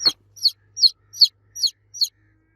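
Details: Loud baby chick cheeps calling for the mother hen, six sharp high descending peeps evenly spaced about every 0.4 seconds after a brief click, otherwise quiet.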